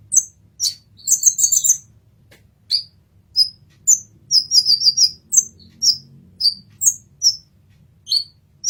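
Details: Olive-backed sunbird in a 'masteran' recording. A dense burst of high twittering opens the passage. Spaced piercing chirps follow, then a quick trilled run in the middle, then more isolated high notes.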